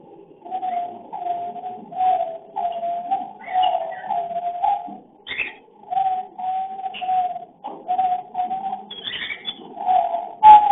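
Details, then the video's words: Cockatiel calling during breeding and mating, filmed with a hidden camera: a series of soft, steady whistled notes, each held about half a second and repeated in a loose rhythm, with brief higher chirps in between. "Love Breeding / sound voice (mating/Crossing) cocktail love bird"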